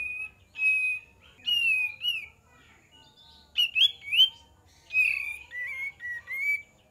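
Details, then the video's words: Lure recording of kapas tembak song: a lively series of sharp whistled notes and warbling slurs in repeated bursts, with little background noise. "PANCINGAN KAPAS TEMBAK DIJAMIN NYAUT"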